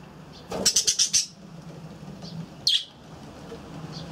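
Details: A quick run of about five high pulsed chirps from budgerigars in an aviary, followed by a single sharp chirp, over a steady low hum.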